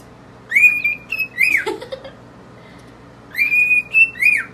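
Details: A cockatiel whistles an Earth, Wind & Fire tune in two bursts of clear, rising and sliding notes, with a brief lower squawk between. Only two birds are present, doubled by a mirror.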